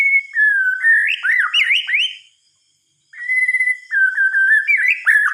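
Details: White-rumped shama at night pours out whistled song: a rapid run of swooping, zigzag notes, a pause of about a second, then level and warbling whistles with a quick rising finish.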